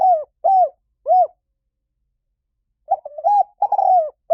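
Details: Spotted dove calling close by: three rounded, arched coos in quick succession, a pause of about a second and a half, then a broken run of short notes leading into a drawn-out descending coo.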